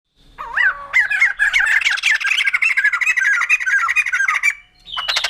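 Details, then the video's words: White-crested laughingthrush, known locally as poksay jambul putih, singing a loud, rich run of squawky, chattering notes that rise and fall, building into a dense continuous babble before a short harsh burst at the end. "Poksay Jambul Putih || Burung Tertawa"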